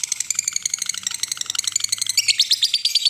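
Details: Lovebird ngekek trill used as a lure to provoke a rival: rapid, shrill, buzzy chatter of fast repeated notes over about three seconds, rising in pitch near the end, with a faint low hum beneath.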